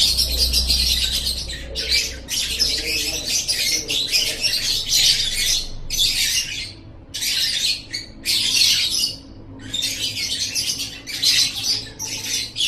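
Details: Lovebird song used as training material for kept songbirds: long bursts of harsh, dense, high chattering and squawky twittering, broken by short pauses every second or two, with a faint low hum beneath.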